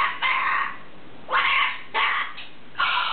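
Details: A talking cockatoo saying phrases such as "What is that" and "Oh, my goodness" gives four hoarse, voice-like bursts in three seconds, each a rough, squawky syllable, with quiet room noise between them.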